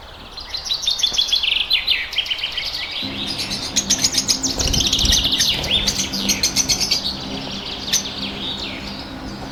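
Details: Several blue opaline and parblue opaline pet lovebirds in Pakistan chatter together: dense shrill chirping and twittering, rhythmic bursts of sharp notes, with a low steady hum underneath.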